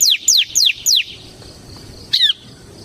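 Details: Bar-winged prinia (ciblek) semi-gacor song used as a lure for pet birds: four loud, sharply downslurred high notes at even spacing, a silence, then one short squeaky double note.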